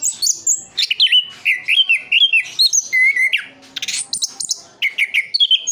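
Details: Orange-headed thrush, a caged bird from Sidoarjo, East Java, singing steady whistled phrases, some held and wavering, others dropping sharply, then rapid clipped notes in quick succession.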